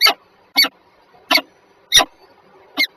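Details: Two peregrine falcons at Żerań in Warsaw, 14 February 2023, 7:47 in the morning. Five rasping, broadband calls are spaced roughly every 0.6 to 0.8 seconds over a quiet, faintly humming background.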